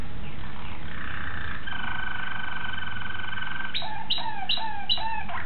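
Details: Young Malinois Waterslager canary, 2009: long steady held tones, then a series of sharp notes that drop and level off, spaced about half a second apart.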